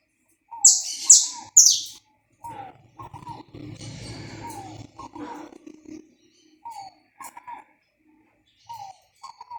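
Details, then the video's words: Saffron finch song recorded live without cuts, used to warm up a kept bird: three loud, sharp high chirps in quick succession, followed by softer repeated low descending whistled notes from another bird and some faint background noise. "esquenta seu canário da terra em 10 minutos"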